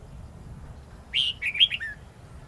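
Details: Long twisting wild-style (giọng rừng) song of a red-whiskered bulbul, used to train young birds: after a silent second comes a short phrase of a sharp whistled note and a few looping, falling warbles.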